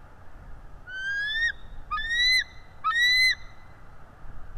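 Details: Bald eagle on a live nest camera, calling while chasing a stranger eagle away: three drawn-out, clear, slightly rising whistled notes, each about half a second long with rich overtones, over steady background rumble.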